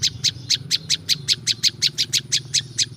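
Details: Prinia, the local prinjak lumut, in a natural recording used to lure wild birds: a steady series of sharp, high chipping notes, about four per second, with a faint low hum beneath.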